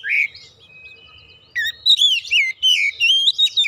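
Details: Oriental magpie-robin lure song to encourage singing: a short opening chirp, a thin steady whistle, then a lively run of rich whistled and warbling notes.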